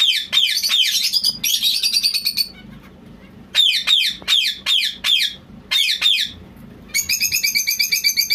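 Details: A white zebra finch gives bursts of harsh, buzzy, nasal notes in quick runs, ending with a rapid series of clipped, toy-trumpet beeps.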